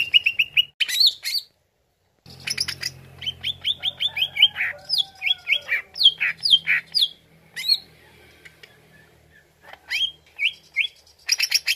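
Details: Greater green leafbird song played as a lure. Fast whistled notes, a brief silence, then a long varied stream of rising chips, slurred whistles and swooping phrases over a low hum, ending with quick bright notes.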